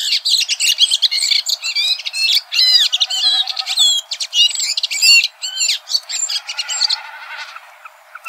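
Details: Red-throated thrush (Turdus ruficollis), a dark-throated thrush, singing in nature: a fast, almost unbroken run of varied high whistles, slurred notes and twittering chatter, with barely a pause between phrases.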